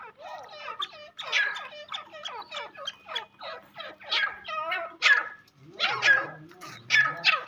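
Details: Irani francolin calling: a long series of harsh, scratchy, rasping notes repeated about once a second, each a cluster of descending strokes, continuing steadily for over seven seconds.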